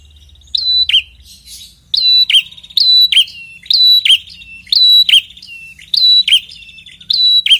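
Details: Red-headed prinia in lively song, played as a lure so silent prinias answer; loud high phrases, each a sharp upslurred note then a downslurred tail, repeated about every second and a half, with soft buzzy trills between.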